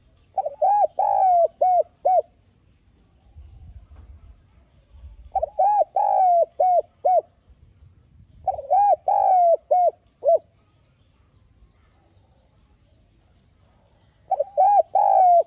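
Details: Lure spotted dove repeating its gọi-thúc cooing phrase four times, roughly every three to four seconds, each a stuttered start, long coo and short closing notes, with faint low rumbling between phrases.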